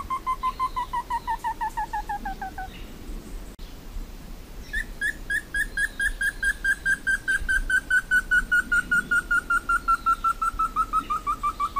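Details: Slaty bristlefront, the Brazilian endemic entufado or bigodudo-preto, singing long series of clear whistled notes. A first run slowly descends, breaks off, then a longer, faster series starts higher and gradually slides lower to the end.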